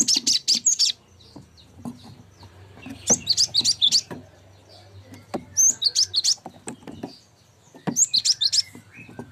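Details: Cinereous tit song used as a tutor recording for songbirds: rapid bursts of high, sharp chirping notes, each run under a second, repeated across the clip, with scattered clicks and a low hum beneath.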